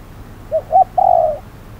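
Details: Spotted dove acting as a decoy during trapping at hot midday; two quick soft notes then a long, slightly falling coo, with quiet background.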